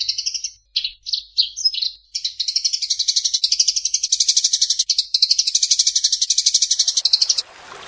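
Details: Eurasian tree sparrow fighting call for training birds. A few separate chirps open into a long, unbroken stream of fast, harsh high chirps, about four per second, ending in a short burst of noise.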